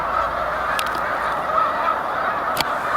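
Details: Snow Geese in big flocks resting during spring migration on Cayuga Lake, New York, March 2021, produce a steady wall of high, yelping honks, countless birds calling at once, with a couple of brief knocks.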